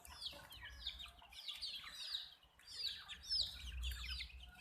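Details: Colored chicks peep loudly, each note a high rising-then-falling chirp, repeated in irregular clusters over a low rumbling background hum.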